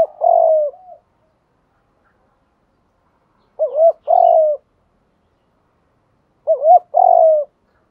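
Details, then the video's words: Spotted dove calling to rouse decoy birds: three clean, evenly spaced phrases, each a brief wavering double note running into a longer, gently descending coo, separated by silence of about three seconds. "tiếng chim cu gáy thúc đấu luyện cu gáy mồi gáy theo"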